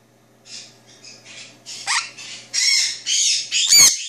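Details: A two-year-old male pet Jenday conure, licking his beak after drinking bird milk at 3:31 AM on 27 March 2014, gives a quick run of raspy, chattering notes that grow louder, ending in a harsh screech over a faint low household hum.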